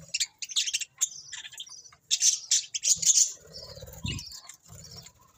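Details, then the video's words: Budgerigars chatter in dense, scratchy high chirps and warbled phrases in several bursts, with a short buzzy note and low rustling near the end. "Cute Budgies Chirping Sounds"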